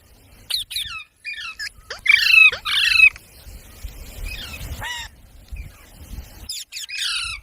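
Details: Parrot kept as a talking pet, mimicking human speech: short, high, harsh squawking syllables with rich harmonics, the loudest pair in the middle, scattered among softer chirps, with faint low rumbling in the background.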